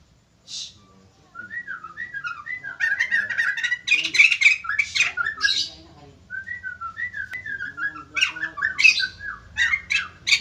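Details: White-crested laughingthrush in full song, getting other birds to respond: a single note, then long runs of rapid, laughing, grating chatter with sliding notes, pausing briefly before a second loud burst.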